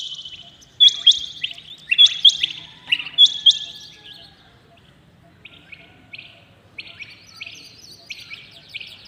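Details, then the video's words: Rain quail calling early in the morning: loud, sharp paired notes in the first four seconds, then softer, more distant high notes repeated at a steady pace. "Rain quail calling 2021 | common quail calling early in the morning | چنگھا بٹیر کی زبردست آواز"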